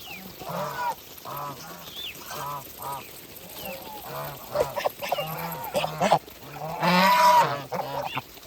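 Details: Farm geese eating, repeating clear nasal honks about every half second, each a short harmonic blast, ending in a louder, longer honk over a burst of rustling noise.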